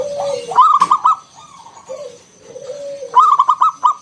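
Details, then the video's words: Zebra dove of local stock, ngalun song with round 'kung' ending, played to coax other perkutut into calling: low sliding coo, then a rapid rattling run of bright notes, a pause of soft coos, and the run again. "Suara NGALUN Kung Bulat - Perkutut lokal gacor Pancingan Paling Ampuh Burung Perkutut"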